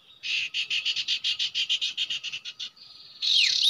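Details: A pure male common iora gives a quick run of about fifteen buzzy, chattering notes, roughly six a second, then a thin high whistle and a burst of rustling noise, at a usual nesting spot where a trap is being set.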